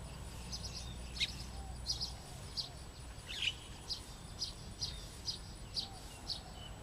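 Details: Weavers at nests hanging in a tree on a fresh morning, with chicks calling from several nests while parents forage for them: short, high, sharp chirps about every half second to second over a low rumble.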